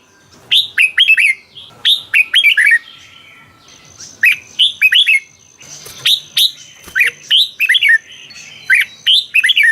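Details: Caged Thai red-whiskered bulbul, sung in the beun song style used for training and exciting caged birds: about seven rapid phrases of sweet slurred whistles follow one another closely, with a thin steady high tone in the background midway.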